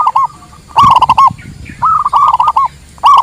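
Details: Local Indonesian zebra dove song, used for luring wild doves and as a master song for training: clear, mellow staccato coos in quick rolling groups of three to five notes, with short pauses between the phrases.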